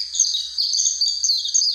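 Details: Warbling white-eye at Mount Fuji in a rapid, high-pitched twittering run of tightly linked squeaky notes with quick up-and-down inflections. The voice is steady and continuous over a faint low background hum.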